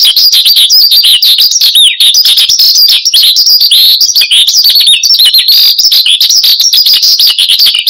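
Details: Cage-kept Horsfield's bush lark in full, nonstop song for luring and training birds: rapid, high-pitched jumble of sharp chirps, buzzy notes and slurred whistles, continuous throughout.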